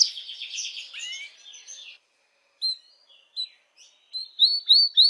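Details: Canary song to stimulate females for mating: a buzzy warbled phrase and a falling slur, then silence broken by separate short rising chirps that quicken into a run of loud upward whistles.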